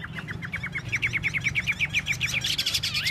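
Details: Chinese hwamei, tail-dancing, in a rapid repeated series of short clipped whistles, about a dozen evenly spaced notes that speed up, ending in a brighter rising trill against low rumbling background.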